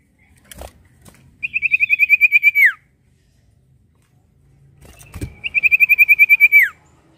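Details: Prinia song played as a lure to set other birds singing: two bursts of about a dozen rapid, even, high notes strung into a steady trill, each burst ending in a quick downward slur, with low thumps before each.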